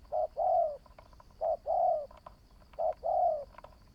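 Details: Spotted dove, a new bird taken out for decoy training and showing promise. It gives a short coo followed by a long, drawn-out coo. The pair repeats three times, about every one and a third seconds, with faint clicks between.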